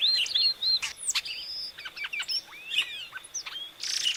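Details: Epaulet oriole, locally called inhapim, singing a varied run of short whistled slurs and clipped chips, some rising and some falling, with a thin steady high tone in the background and a brief burst of noise at the end.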